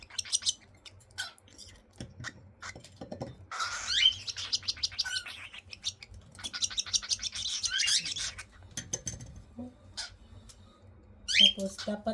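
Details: Feeding-time begging from young cockatiels: harsh, buzzy bursts in two main stretches, scattered ticks between them, and a rising squeak near the end.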